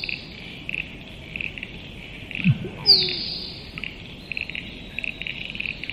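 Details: A single musk duck call, a deep plonking note followed by a bright, descending high whistle, set against a continuous, evenly pulsing insect background.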